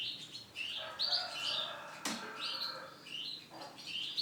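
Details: Male Starblue canary singing high trilled phrases and chirps, interrupted by a sharp clap-like noise and some wing flutter.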